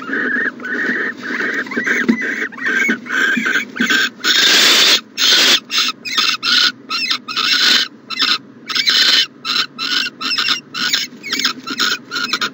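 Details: Morning at an owl nest box on 14 January 2020. A long series of rasping, breathy hisses, short and closely spaced, with one longer louder burst near the middle, over faint background hum.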